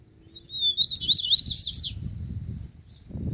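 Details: Single phrase from a wild double-collared seedeater attracted to a caged bird: thin whistled notes accelerate into a dense, twittering tangle of high slurs and buzzy strokes, ending abruptly, over low background rumble.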